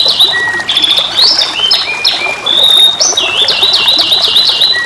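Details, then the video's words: Young canary in full song, pouring out continuous high whistled phrases with quick slurred trills and brief rolling sequences, and hardly a pause between notes. "CANARY SINGING"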